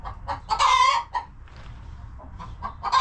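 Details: Coop chickens on a farm homestead utter one loud, raspy squawk among a few short clucks, followed by a quieter pause and renewed clucking at the end.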